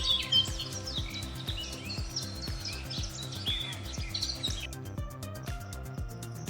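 A robin sings high, warbling, varied phrases of quick notes over a steady, beat-driven music track.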